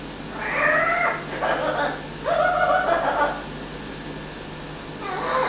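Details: Amazon parrot kept as a pet, imitating an evil laugh it picked up within a week: two main bursts of rapid, raspy 'ha-ha-ha' syllables, each about a second long, then a shorter burst, indoors with a low background hum.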